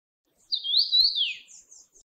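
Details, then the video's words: Red-bellied thrush, a winter passage bird in Taiwan, gives one thin, high whistled note lasting about a second. The note wavers and slides down at the end, followed by faint soft chips against a quiet background. "赤腹鶇(Red-bellied Thrush)"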